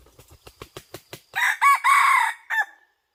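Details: Red junglefowl during decoy hunting: a run of about eight short soft clucks, then a loud harsh crow in several segments, a rising burst, a long strained middle phrase and a short clipped ending, followed by silence.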